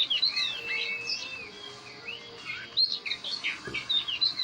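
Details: White Oriental magpie-robin singing: rich whistled phrases with rising and falling slurs and quick chirps, fairly continuous, over a low background hum; a sharp click midway.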